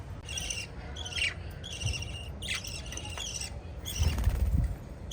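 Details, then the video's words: Lovebirds, a group of five kept as pets, chattering in clustered bursts of high, rasping chirps with short pauses, ending in a noisy rustle over a low hum. "Five Little LOVE Birds Chirping Sound"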